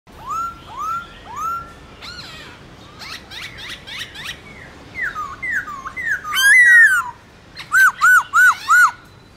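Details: Black-throated laughingthrush giving morning competitive song in wild voice: repeated clear rising-falling whistles, then a fast run of downslurred notes and a loud bright phrase, ending with four quick arched whistles.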